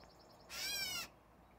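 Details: Single scratchy mew from a catbird, about half a second long and cat-like in tone, with a faint pulsing high tone heard just before it.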